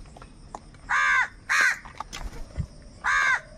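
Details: Crows giving angry calls tied to group unity and calling for food while fighting over it; three harsh, loud caws in two quick bursts and a later one, with faint background noise between.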